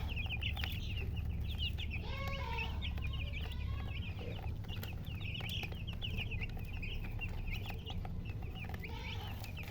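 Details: Hen chicken, locally called murgi, chirping with many rapid, high, downward-slurred peeps that overlap almost continuously, plus a few lower squeaky notes, over a steady low rumbling hum and occasional clicks.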